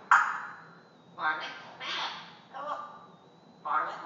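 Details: A pet female African grey parrot, chatty in the morning and known for imitating farm animal sounds and words, speaks in five short, voice-like bursts about a second apart; a thin, steady high whine underneath.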